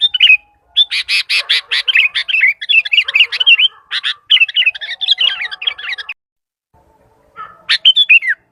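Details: Sooty-headed bulbul in lively voice, calling other bulbuls: six seconds of rapid, nearly continuous sharp chirps and wavering whistled notes, a brief silence, then a final rising and falling chirpy phrase.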